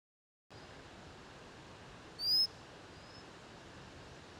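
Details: White-capped redstart at Chafi, Nainital, Uttarakhand, India, giving one thin, very high, upward-slurred whistle, then a fainter second note, over a steady rushing hiss like running water.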